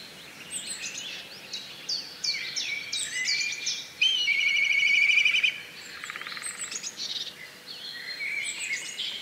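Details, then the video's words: Black kite giving a long tremulous, wavering whistled call lasting about a second and a half, amid a busy chorus of high chirps and twitters from other birds. "Black Kite Call ! Black Kite Bird ! Black Kite Bird Sound ! Black Kite Noise ! Black KIte Scream"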